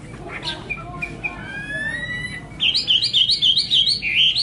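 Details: Chinese hwamei: after a few thin, quiet notes, a loud burst of high whistled notes repeated rapidly in a bouncing, rolling rhythm for about two seconds.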